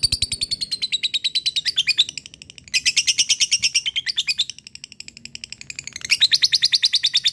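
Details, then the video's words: Fighter lovebird in long ngekek chattering aimed at an opponent: rapid, high, buzzy notes, about three per second, in bursts with brief dips in loudness. "Cik cikk weeeeerrr...lovebird fighter gacor ngekek memanggil l4w4n"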